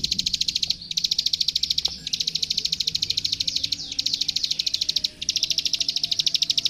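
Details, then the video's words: Energetic 'gacor' song of a plain prinia (prenjak sawah) used for tutoring young birds: bursts of very fast, metallic clicks roughly ten per second, separated by short gaps, with a faint thin whistle in the background. "Suara Masteran Burung Klik Klik Gacor"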